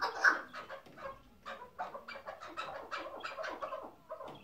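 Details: Chukar partridge calling in the hıngırmacı style, a bird kept for tethered decoy hunting: soft, fairly quiet clucking notes in an uneven series, building into a rhythmic chatter.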